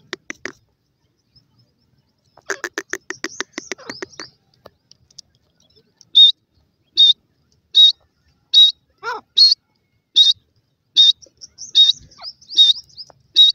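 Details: Grey francolin chicks playing in the grass; a brief burst of harsh, buzzy notes, then short, sharp, high chirps repeated steadily about every second, with one quick descending note midway.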